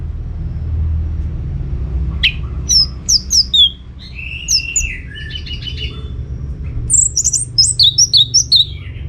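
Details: Orange-headed thrush from Singaraja, northern Bali, singing to prompt other birds to reply; after a quiet start, rapid high twittering notes and slurred whistles, then a burst of sharp chirps, with a constant low hum.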